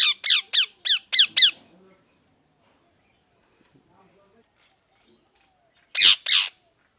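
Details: A parrot gives a rapid run of five shrill, descending squawks, then falls quiet before two more harsh screeches at the end.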